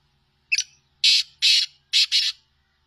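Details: Sindhi black francolin calling: a short scratchy lead-in note followed by four loud, grating, rasping notes grouped in pairs, with a faint hum behind.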